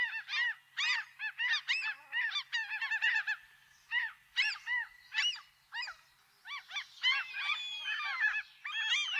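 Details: Seagulls giving loud, harsh, arched calls in quick series, some bursts rapid and stuttering, others spaced out, with several birds overlapping toward the end.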